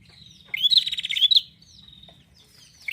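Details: Bar-winged prinia (prenjak) giving a harsh buzzing trill lasting nearly a second, broken by two bright rising chirps, then a thin fading whistle.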